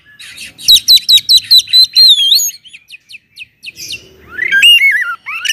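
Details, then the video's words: Oriental magpie-robin pouring out loud song intended to excite other magpie-robins into singing, starting with about eight quick repeated chirps, then a wavering whistle and later looping, descending whistled phrases. "kacer gacor ngeplong SUARA KERAS BIKIN KACER Lain NAIK EMOSI,, PANCINGAN KACER AGAR RAJIN BUNYI"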